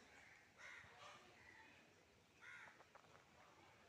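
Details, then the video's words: A carrion crow gives harsh, hoarse caws, two close together and then a third after a short pause, over a low background hiss. "ശവം കാക്ക ( Carrion Crow )"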